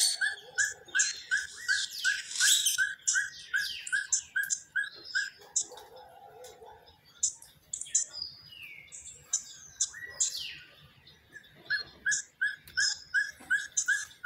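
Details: Elf owl song in winter, a long run of quick, evenly spaced yipping notes that breaks off mid-way and then resumes, set against a busy chorus of high, thin chirping and trilling from other birds.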